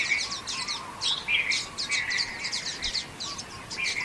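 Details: Common waxbills at Xinyuan Township on 3 June 2024 give rapid bursts of high, scratchy chirps, broken by short lower buzzy notes, from several birds calling together.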